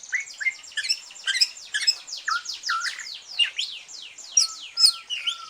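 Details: Green leafbird that has just finished moulting, kept as a cage bird and used to stimulate other birds to sing, delivering a rapid, varied chatter of high sweeping whistles and buzzy notes, about two per second, densely packed.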